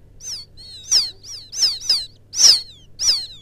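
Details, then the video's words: Young quail calling to its mother: a quick, irregular series of high descending peeps and short whistles, one very loud note midway, over a low steady hum. "Suara pikat anak burung puyuh memanggil indukan,suara anak puyuh ladang,puyuh sawah"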